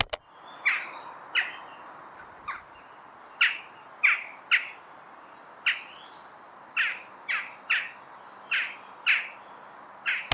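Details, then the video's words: Several western jackdaws give short, sharp, metallic 'tchak' calls, about fifteen in ten seconds, sometimes in quick pairs, over a quiet background; a small corvid, played as the jackdaw's song. "¿Te parece que escuchemos el canto de las grajillas?"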